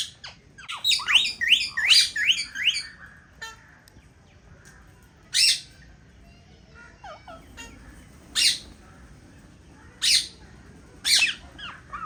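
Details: Captive Indian ringneck parakeet pair at a nest in an aviary: an opening flurry of rapid, rising screeches, then single sharp squawks spaced a second or two apart.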